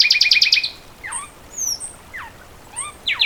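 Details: Fulvous wren giving one short rapid trill, then scattered thin whistles, slurred downstrokes and high upslurs separated by quiet gaps.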